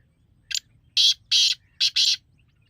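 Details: Black francolin call used to attract other francolins: one short rasping note followed by two broad, harsh, drawn-out notes, then a quick rasping pair, all loud and coarse against a quiet background.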